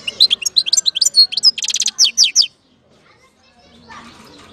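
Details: European goldfinch from Algeria, 2019, delivering a fast, liquid twittering phrase of bright chirps and a buzzy trill, running about two and a half seconds before stopping, followed by faint background rustle.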